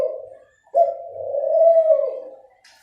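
A dove gives low, soft coos: a brief hoot, a pause, then one long mellow drawn-out coo.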